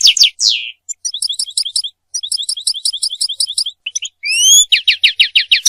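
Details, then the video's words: European goldfinch song intended for mating and teaching goldfinches to sing: two downslurred chirps, rows of short tinkling notes, a rising whistle, then a series of rapid falling chirps. "مجموعة اصوات لطائر الحسون ل التزاوج و تعليم الحسون التغريد"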